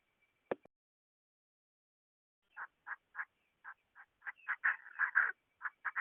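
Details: Female Chinese francolin: after a sharp click and a couple of seconds of quiet, short harsh notes start up. They quicken into a dense, rasping run of calls near the end, over a faint steady tone.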